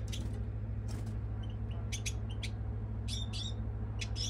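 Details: European goldfinch calling with scattered sharp high chirps and brief twittering bursts, some notes doubled, over a constant heavy low-pitched hum.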